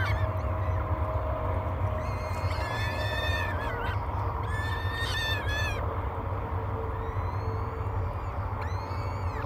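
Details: Three peregrine falcon chicks demand food at a breakfast feeding, nest cam at Great Spirit Bluff, 24 May 2022; clustered bursts of shrill, grating wails, pauses between, and a persistent low hum throughout.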